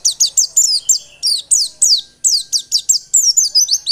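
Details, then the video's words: Continuous white-eye song as a singing stimulus: a steady stream of high, sharply descending chirps delivered about four to five per second without pause. "Pancingan pleci biar gacor dan ngotot."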